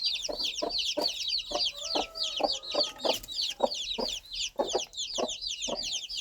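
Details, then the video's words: Baby chicks peep loudly and continuously in high, falling notes while their mother hen answers with soft, regularly spaced low clucks about every half second; a faint steady tone runs briefly in the background. "Sound of Mother Hen Calling Her Baby Chicks"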